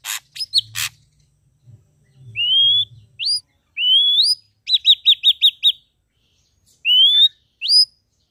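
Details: Ashy drongo, red-eyed, singing energetically: sharp clicks open, then long rising whistled slurs, a quick string of five clipped notes, and more upward-sweeping whistles with quiet gaps between phrases.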